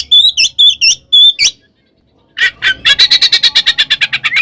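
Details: Oriental magpie-robin in a fighting song of ngeplong, ngekek and tarung styles, used as a lure to provoke other magpie-robins: clear whistled, rising notes, then after a pause a loud, harsh, rapidly repeated chattering series of about eight notes per second.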